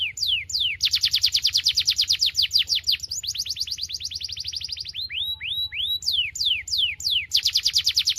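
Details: Saffron finch (Sicalis flaveola, canário-da-terra) singing high, bright downslurred notes: a fast run of sweeping chips, then slower, separated slurs, with a faint low hum underneath.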